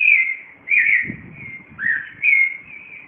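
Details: Yigüirro, or Clay-colored thrush, in Cartago, Costa Rica, singing before dawn at 4:45 am; four or five rich warbled whistles, rising and falling, with a faint low rumble in the background.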